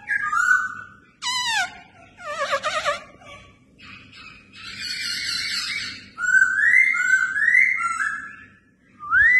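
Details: Red-whiskered bulbul being trained for fighting contests sings a mix of sharp downward-swept whistles, rough chattering bursts and a series of bright upslurred whistled notes, with short pauses between phrases.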